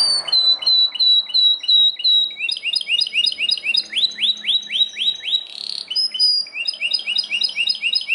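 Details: Belgian canary sings loudly, a series of fast repeated high whistled notes in rolling tours, each phrase changing to a new repeated note type, crisp and bright with a quiet background.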